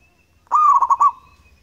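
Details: Local zebra dove from Indonesia singing one long, loud cooing phrase, a bright tone stuttering into several rapid beats, with a faint steady whine and low hum behind.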